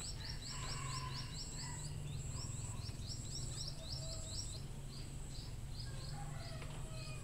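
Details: Munia calls played to lure wild birds: a steady series of short, high, arched chirps, several per second, over a constant low hum and a thin high whine.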